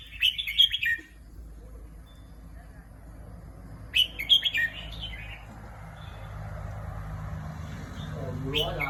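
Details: Caged competition red-whiskered bulbul in Thailand giving brief, lively whistled phrases about three seconds apart, over a low background rumble and a faint human voice.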